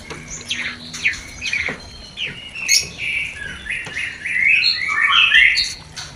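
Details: White-rumped shama mating song used to arouse breeding desire in a new pair that has not yet bred: varied whistled and chirping phrases around mid-high pitch, with sharp clicks and some background noise.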